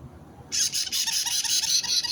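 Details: White-bellied caique parrot, 29 March 2022: after a brief quiet start, a loud, piercing, continuous screech with a rough, wavering quality runs to the end.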